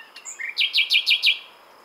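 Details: Brief phrase of common nightingale song: one rising note, then five loud, evenly spaced, down-slurred chirps repeated quickly in a steady series.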